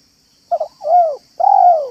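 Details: Spotted dove in a yard giving a manggung and meratus style phrase to lure doves: two quick clipped notes, then a rising-falling rolling coo, then a longer, louder arched coo. A faint steady high whine behind.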